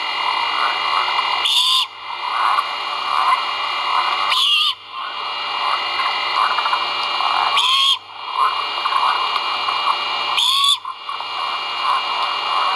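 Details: Great horned owl chicks calling at the nest during feeding, filmed by a live nest camera at Skidaway Audubon, dated 1.04.2022; four short, harsh, hissing screeches arrive about every three seconds over a steady background hiss.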